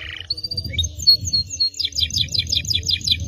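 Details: Canary performing an elaborate cengkok phrase: a short harsh note, long high thin whistles, then a rapid pulsing series of sharp chips, with a low rumble behind.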